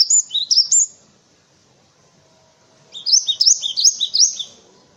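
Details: Cinereous tit song used for training white-eyes and other birds: three quick high notes, a two-second silence, then a longer run of about eight lively, see-sawing phrases.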